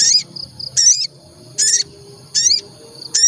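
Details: Olive-backed tailorbird, lure audio to prompt singing: loud, strident high notes repeated about every three quarters of a second, with a thin steady whistled tone running between them.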